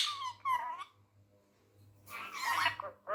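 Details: Tame male Indian ringneck parrot, said to be angry, talking in Urdu/Hindi: two short, nasal, speech-like syllables, a quiet gap, then a longer buzzy harsh outburst in a small room.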